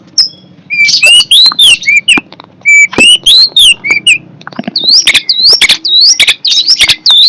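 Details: Long-tailed shrike, described as fierce, singing a varied, energetic string of high notes: rising and falling whistled slurs, short sharp chirps and harsh buzzy bursts, delivered in rapid phrases with only brief pauses.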